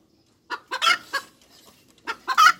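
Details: Brief hen cackle: a few clipped clucks and a harsh, rising squawk, then after a short lull another cluck and a loud, strained squawk.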